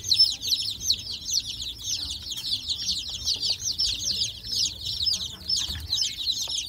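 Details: Many baby chickens raised in a backyard keep up a busy, high-pitched peeping, short falling cheeps packed tightly together throughout, over a low steady background murmur.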